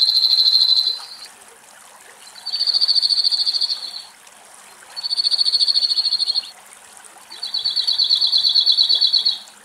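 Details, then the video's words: Cirl Bunting in a shady Greek forest during the hot midday, while a female drinks cool running spring water: dry, even rattling trills held on one high pitch, each about one and a half seconds long, four of them over a steady background hiss. "Σιρλοτσίχλονο Κελάηδημα"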